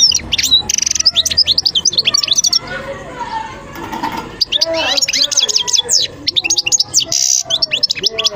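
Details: European goldfinch singing a fast, twittering run of high chirps and slurred notes. The song breaks off in the middle for a quieter stretch with faint low murmuring, then resumes with bright, jangling phrases.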